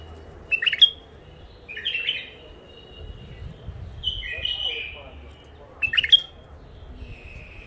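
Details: Wild-caught bulbuls from the Mandali crossing, newly isolated captives, alternate sharp clipped notes with liquid fluty warbles, the sharp burst returning near the end, over a low murmur of background noise.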